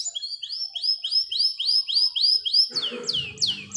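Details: Canary song in the 'gacor dor roll panjang' style, used as a lure to get young canaries to sing quickly: a rapid run of rising whistled notes about four per second, then sharper falling notes over a faint low rumble.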